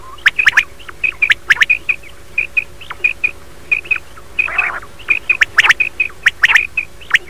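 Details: Common quail calling in the morning: short, bright, clipped notes at one steady pitch, given in quick pairs and triplets every second or so, with sharp clicking sounds and one brief harsher, buzzy burst midway.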